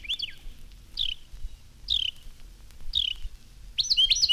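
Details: In a spring garden, a Carolina Wren sings loud, ringing, rolling "cheer, cheer, cheer" phrases, repeated about once a second, among other singing birds, with a faint low rumble beneath; 1954 recording.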